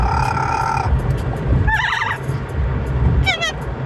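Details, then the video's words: Pet Amazon parrot singing on a weekly Sunday car ride, a little irritated at not being allowed to chew the car seat: a held nasal tone, a warbling wavering phrase and a quick descending trill over low car rumble. "Amazon parrot singing and making noise"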